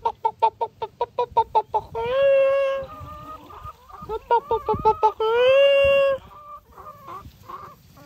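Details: Chicken on a farm cackling: a quick series of short clucks followed by a long, loud, sustained squawk, the pattern repeated twice, with fainter clucks at the end.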